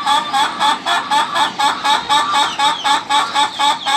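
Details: Ayam ketawa, or laughing chicken, crowing in fast, rhythmic cackling pulses, about four per second, each note a short ringing burst with a slight downward slur.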